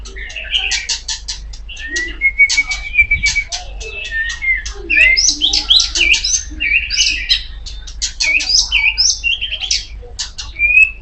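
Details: Magpie-robin, known locally as kacer poci, singing loudly and continuously: a dense jumble of sharp chips, buzzy notes and slurred whistles, with a sustained thin whistle around the second mark, over a low steady hum.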